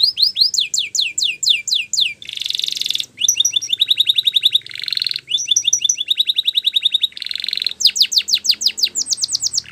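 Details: Spanish Timbrado canary training song: runs of fast descending high notes, a harsh buzzy held burst, a metallic rolling trill, then repeated rising sweeps, continuous and loud.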